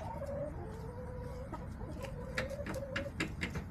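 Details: Backyard hens make low, drawn-out tonal calls repeated several times over a steady low hum, with sharp clicks and pecking taps scattered through.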